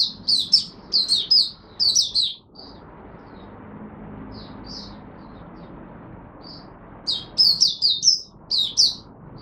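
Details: Oriental white-eye in Singapore, March 2023, humid rainy overcast weather: a rapid phrase of high, twittering chirps, a quiet stretch with a few faint notes, then another bright, chattering burst.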